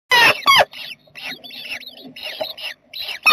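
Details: A jackdaw family in a nest box on 7 May 2020: two loud, harsh, harmonic calls open the clip, followed by a run of thin, high squeaky peeps repeated rapidly at uneven intervals.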